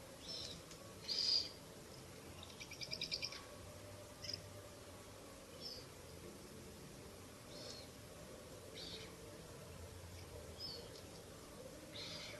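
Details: Owlets at a nest in a ruin, night of 30 April to 1 May 2024, being fed a rabbit by their mother; a rapid run of dry clicks comes near three seconds, with short breathy hissing bursts scattered before and after.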